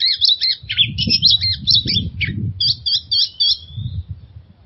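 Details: Oriental magpie-robin lure song meant to rouse stressed birds into singing: fast run of sharp chirps and whistled notes, then a string of repeated short notes ending in a thin fading whistle, with a low rumbling background.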